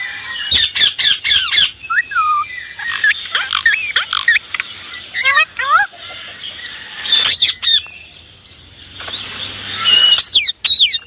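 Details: Indian ringneck parrot giving a varied run of sharp squawks, short whistled slurs and chattering notes, with a quieter spell in the middle before loud squawks resume.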